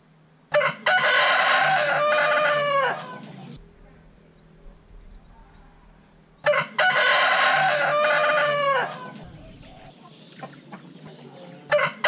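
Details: Rooster crowing: two loud, rasping cock-a-doodle-doo calls, each about three seconds long and falling at the end, separated by a quiet pause, with a thin steady high whine throughout.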